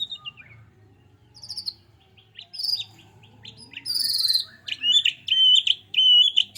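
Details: White-rumped shama, a small bird in lively song: quiet opening notes building into loud high whistles, buzzy trills and repeated clear phrases.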